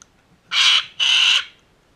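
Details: Sulphur-crested cockatoo in a backyard: two harsh, raucous, grating screeches in quick succession, each about a third of a second long, against a quiet background.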